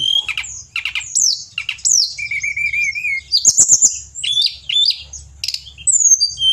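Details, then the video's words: Pied bushchat in full, lively song, recorded as tutoring material for songbirds: quick bursts of high chirps and slurred whistles, a steady wavering trill in the middle, then clicking notes and more bright, varied phrases. "Tledekan Gunung Gacor"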